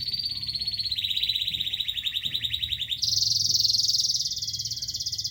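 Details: Local canary singing a fast pulsed trill that steps down in pitch, then jumps to a higher, louder rolling trill held to the end.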